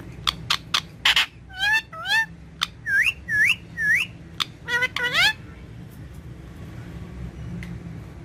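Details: Green ringneck parrot kept as a pet, chattering at its reflection in a mirror: a lively series of short rising and wavering whistled notes, several in pairs, among clicks and brief harsh sounds, then falling quiet over low background hum.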